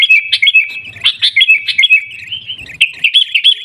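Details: In 'gaya garuda' style from Busu Reului, Pidie, Aceh, a sooty-headed bulbul repeats quick paired chirps about three times a second, then runs into a denser twittering phrase, with faint low tapping in the background.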